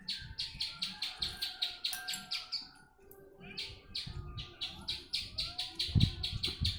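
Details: Javan bush lark from Jombang, East Java, Indonesia, singing actively, recorded as a tutor song for training other birds; rapid runs of sharp, high chirps, roughly six per second, with a short break midway, over a low rumbling background.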